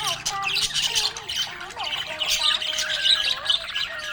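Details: Happy budgie chirping: loud, jumbled warbling and squawky notes packed closely together, with wavering lower tones beneath.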